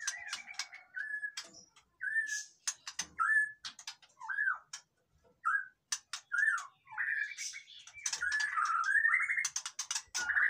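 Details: Caged white-rumped shama whose song is used to provoke silent birds: separate short whistled notes with clicks between them, pauses of about a second, then a denser buzzy warble toward the end.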